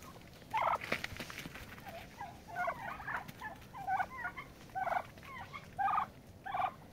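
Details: Turkeys fighting for dominance: a loud opening yelp, then a run of quavering, bending calls and regular clipped bursts, almost continuous over seven seconds.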